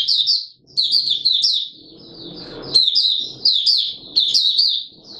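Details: A Mata Puteh Raja white-eye gives open singing on 20 March 2022 in warm humid weather, with high quick twitters interrupted by a scratchy noise before the song resumes.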